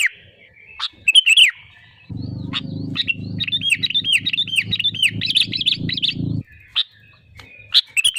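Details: Sooty-headed bulbul in full, lively song, used as a lure to trigger other birds into singing: a dense run of short, bright, looping whistled notes, with a steady low drone underneath for several seconds.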